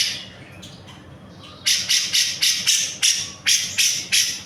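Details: Actively singing grey-cheeked bulbul, a tutor recording: faint notes at first, then a steady run of nine loud, harsh rasping notes roughly three per second.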